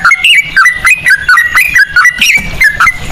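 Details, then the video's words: Sooty-headed bulbul in quick cucak rowo-style phrasing, sung as a lure: rapid, warbling whistled notes stepping up and down without pause. "pancingan ampuh burung trucukan ropel cengkok cucak rowo"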